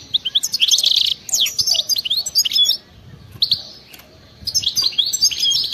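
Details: European goldfinch in wild-style (khalwi) song with rapid batbata passages, used to prompt other goldfinches to sing; dense bursts of high twittering, buzzy notes and quick slurred whistles, two long phrases split by a short pause.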